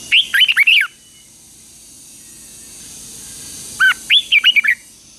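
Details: Red-whiskered bulbul trained for morning fighting song, giving two matching phrases about four seconds apart, each of five or six loud, liquid, swooping whistles, with a gentle steady hiss between.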